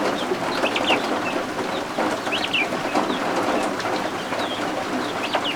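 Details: Several freshly hatched guinea fowl keets under a warming lamp peep in short, high, bent chirps, sometimes in pairs or quick triplets, while heavy rain patters steadily outside.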